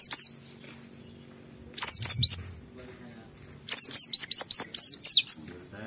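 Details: Oriental white-eye song, played to stir other white-eyes into singing, opens with a short burst of shrill notes, then after a pause a longer string of high, quick downward-slurred whistles.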